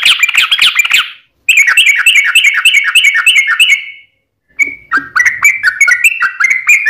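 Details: Sooty-headed bulbul in a lively fighting-style song with long rapid runs: bursts of bubbly, slurred whistles near two kilohertz, a short gap, then a fast repeated chattering series and more varied notes.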